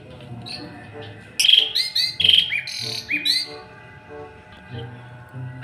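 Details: Asian pied starling in a house yard, described as a loud, noisy guard bird that calls at dawn; bursts of loud whistled and harsh notes over about two seconds, with steady background music tones.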